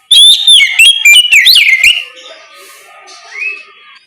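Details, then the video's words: Loud ngeplong song from an Oriental magpie-robin in the morning, meant to provoke other magpie-robins into answering; nearly two seconds of quick, clear whistled notes swooping between high and mid pitch, then faint background chirps and one rising note. "Suara ngeplong Kacer di pagi hari, pancingan Kacer agar mau nyaut bunyi!!"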